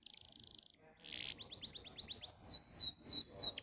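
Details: Canary song used as tutor song to get young canaries singing: a short buzzy high trill, then a run of rapid downward-sweeping whistled notes and looping slurred phrases, all high-pitched.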